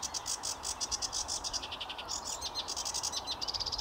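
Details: Sedge warbler singing at Watermead Country Park on 8 May 2022: a fast, dry, churring stream of high chattering notes in rapid bursts, with a steady background hiss.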